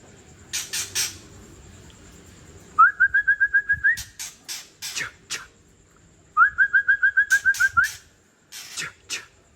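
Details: Old wild white-rumped shama from Tangse giving harsh 'trek kasar' calls, used to provoke other shamas: two rapid rattling series of about ten clipped notes at steady mid pitch, separated by sharp dry clicks and ticks.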